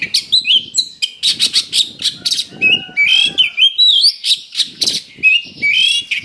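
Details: Oriental magpie-robin lure song to provoke fighting, with rough fillers: dense harsh chattering bursts interleaved with rising whistled slurs, a short steady lower tone midway, and low rumble underneath.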